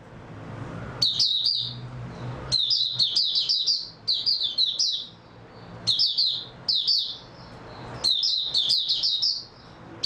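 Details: Sustained singing by an oriental white-eye (mata puteh), recorded 3 March 2022. Bright, high chirps tumble in fast bursts roughly every one to two seconds, with brief pauses between phrases and a low hum beneath.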